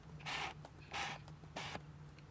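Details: Muscovy duck (Cairina moschata) at the Draga valley ponds (Ribniki v dolini Drage), 27 January 2024, gives three breathy hissing bursts, each about a quarter second long and about half a second apart, over a steady low hum.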